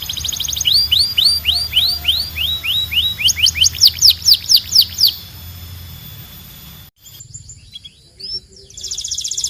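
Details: Belgian canary song to encourage canaries to sing: repeated rising whistled notes, then loud sharp downslurred notes, a brief quiet gap and a buzzy roll at the end.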